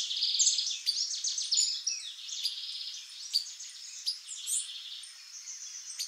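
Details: A female white-bellied seedeater (Sporophila leucoptera) gives quick, high chips and twittering notes in a busy run.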